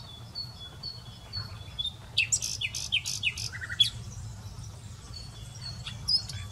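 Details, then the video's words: Song of a common nightingale, a quiet thin whistle repeated several times, then a loud run of rapid clicking and slurred high notes around two seconds in, fading back to soft piping over low rumble. "Vídeo Ruiseñor común"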